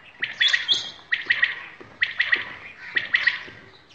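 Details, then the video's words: Village common quail (batair) from Shahbazkhel, heard during hunting: clear three-note phrases of bright, liquid pips, each phrase spaced about one second apart, with a brief higher squeak at the start. "Village Quails | Batair ka shikar ||| Quails Sounds || Quails Calls || Shahbazkhel || Bateraan"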